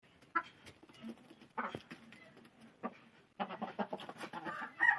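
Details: Chickens and hens clucking, with short broken bursts of mid-pitched clucks and squawks, sparse at first, then denser and busier after about three seconds, with a sharper note near the end.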